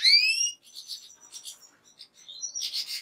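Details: A goldfinch opens with a clear rising whistled slur, followed by soft scattered twittering notes and a final buzzy chirp.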